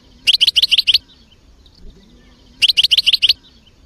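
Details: European goldfinch giving two short bursts of quick, evenly spaced high chirps, about seven notes each, separated by roughly a second and a half of near quiet with faint low background sound.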